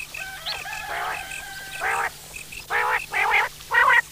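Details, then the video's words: Quail giving rough, grating bursts that grow louder toward the end, after thin whistled tones at the start of the passage. "Buter ki awaz"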